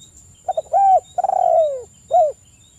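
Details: Spotted dove song, played as a morning and evening lure to get other doves singing. One phrase: two short stuttered coos, an arched note, a long throaty coo sliding downward, then a final hooked coo. A thin high whine sits behind.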